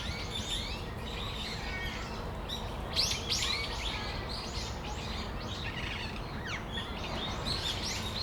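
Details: Several brown-eared bulbuls in Tamagawadai Park on a December afternoon, giving dense bursts of shrill, squeaky chirps that crowd together around the third second, then scattered sharp notes over constant low ambient noise.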